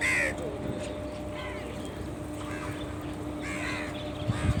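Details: Crows calling: a few harsh, raspy caws with layered overtones, spaced roughly a second apart, over a steady low electrical hum and faint outdoor background noise.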